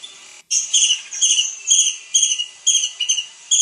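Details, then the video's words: Kingfisher, known as tengkek udang, in an active masteran recording for songbirds: separate high, squeaky, two-toned notes spaced irregularly, about one per second, over a faint background hiss. "masteran burung Tengkek udang gacor"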